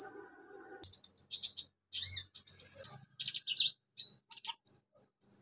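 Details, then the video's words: Bulbul singing a song packed with imitations of crickets, golden grasshoppers and chicks: rapid, varied high chirps, buzzy notes and short whistled trills in quick bursts after a faint low hum at the start. "KONIN BANYAK ISIAN CILILIN, JANGKRIK, BELALANG EMAS, ANAK AYAM"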